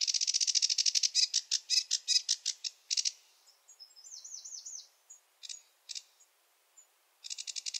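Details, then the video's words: Rapid grating chatter from a sedge warbler of wetlands, varied phrases in random order, then a sweeter wavering whistled phrase, scattered clicks and a renewed burst of fast chattering. "Sedge warbler song (Acrocephalus schoenobaenus) the warbler rapper"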